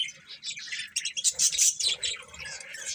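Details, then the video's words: Budgies giving a continuous scratchy warble of high chirps and squeaks, rising to a louder burst midway. "Cute Budgies Chirping Sounds"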